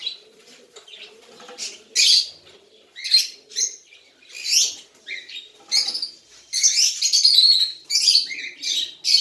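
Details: Hand-tame baby cockatiel giving repeated rough, rasping chirps roughly every second, building into a denser run of harsh notes late on, soft low murmuring in the background.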